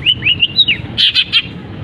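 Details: Long-tailed shrike, caged, mimicking canary and other birds: several clear whistled upslurs and downslurs followed by three loud buzzy chips.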